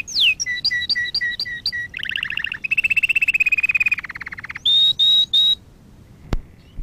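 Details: Canary singing as a training lesson for canaries: a falling slur, a string of short two-part notes, a buzzy trill, a long rapid rolling trill, then steady high whistles and a single sharp click.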